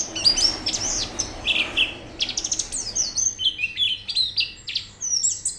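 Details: White-eye singing briskly in audio meant to prompt birds to sing: continuous bright twittering of quick chirps and downward-sweeping high notes in tight bursts, with faint background noise.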